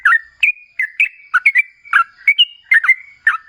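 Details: Energetic ropel-style song of a sooty-headed bulbul, used as a lure for other bulbuls: cheerful bubbling phrases of dipping and rising whistled notes, nearly three per second.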